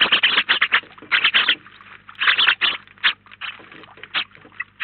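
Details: House sparrows crowd a feeder in Collado Villalba, Spain, about nineteen birds at once. Clustered bright chirps come in quick overlapping runs, then fall into scattered single notes amid soft scratching sounds.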